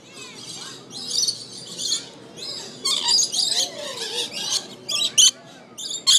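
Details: Rainbow lorikeet at the Aquarium of the Pacific, Long Beach, California: harsh, buzzy high screeches in short bursts and clusters, with softer chatter and faint thin whistles between them.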